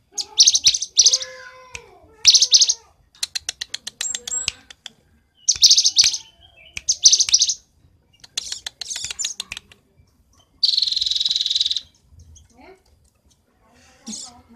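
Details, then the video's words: Cinereous tit (gelatik batu) from Roban, Subah, Batang, singing energetically with varied fills: repeated high chirp bursts, rapid ticking rattles and a long harsh buzzy section, with low whistled tones underneath. "Gelatik batu isian se abreg,super gacor"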